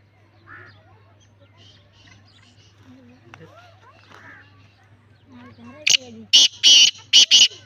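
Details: Lakka-type black francolin gives a harsh, rasping call of about five loud broadband notes in a rapid series at the end, preceded by faint chirps, whistles and a steady low hum.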